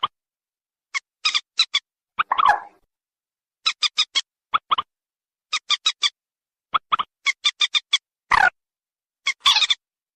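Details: White-breasted waterhen lure call meant to attract both females and males: clean bursts of three to four short, harsh, clipped notes repeated every second or two, with a few rougher, croaking notes between bursts, on a silent background.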